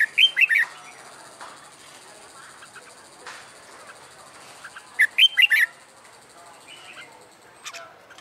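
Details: Wild-caught red-whiskered bulbul kept in a hand cage and trained for fighting song, now singing after a month in its new cage: two short, bright warbled whistled phrases about five seconds apart over a steady high electronic tone.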